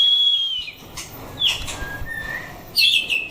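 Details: White-rumped shama in a 'chảo lửa' fighting test: sparse clear whistles, a long steady high note, then separated rising and falling whistled phrases with quiet gaps between them.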